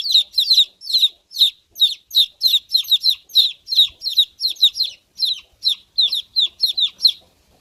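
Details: Baby chicks chirping: thin, high, downward-slurred peeps given in quick bursts, about two or three a second at an uneven pace, some notes doubled, with no other sounds in a quiet background.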